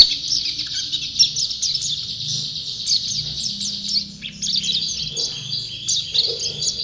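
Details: Energetic song of a champion white-eye: continuous shrill twittering, very high and thin, with a short dip in loudness midway before the chatter picks up again.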